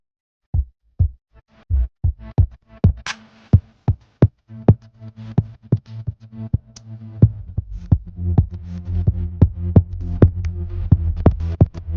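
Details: Electronic music with a drum-machine beat and deep bass pulses fills the whole stretch, with no animal voice heard.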